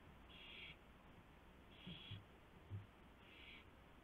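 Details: Owl at its nest at 1:00 AM on March 24, 2016, after prey, a gopher, is brought in. Three harsh, hissing bursts about 1.5 seconds apart, each lasting about half a second, with a few soft thumps between them.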